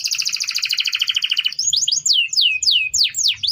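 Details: Canary tutor song for other birds: a rapid, even rolling trill lasting over a second, then a string of swooping, looping whistled notes.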